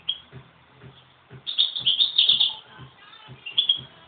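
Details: Fighting goldfinches give a single high chirp, then a dense second-long run of rapid twittering chatter and a last sharp chirp, over steady low knocking thuds about twice a second.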